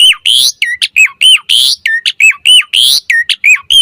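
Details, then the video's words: Asian pied starling pumping a varied song meant as a lure and tutor for caged starlings; sharp downward-hooked whistles interleaved with rasping broadband notes in a brisk, steady run. "Suara Jalak Suren Mompa Variasi AMPUH Buat Masteran & Pancingan Burung Jalak Agar Full Gacor Isian"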